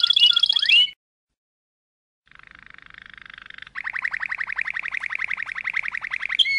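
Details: Malinois Waterslager canary song: a brief high whistled phrase, a pause, then a soft low trill that switches into a louder, deeper rapid bubbling roll, ending on a rising whistle.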